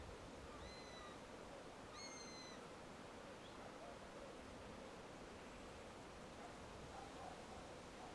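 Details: One of a nesting pair of Eurasian sparrowhawks, near a Holm Oak and a beech holding their nest, gives two thin, drawn-out whistled notes, high and slightly falling, about a second and a half apart, over steady hiss.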